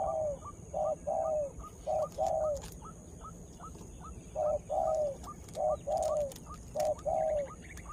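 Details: Spotted dove lure calling to stir up wild birds; quieter, more distant repeated phrases of a short coo plus a longer falling coo, nearly once a second, with sharp clicks and background noise.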